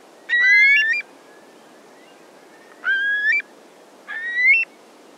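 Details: Eurasian curlew calling from the ground, in flight or on a beach: three clear, rising whistled notes that end in a sharp upward flick, spaced about one to two seconds apart, over steady low background hiss.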